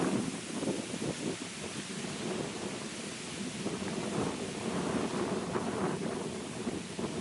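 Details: Heavy rain patters steadily on surfaces under a low rumble, with no animal calls.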